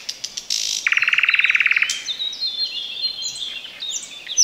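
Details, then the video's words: Thrush nightingale (Luscinia luscinia) singing unseen in bushes near a road in the Chornobyl Exclusion Zone, very close: sharp clicks, then a fast loud rattle of about twenty pulses in one second, followed by high whistled and warbling notes. "Nightingale sings in the bushes!"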